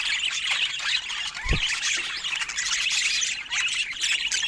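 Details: Several pet budgerigars chatter together in a steady wash of high chirps and squeaky warbles; one short low thump stands out near the middle of the recording.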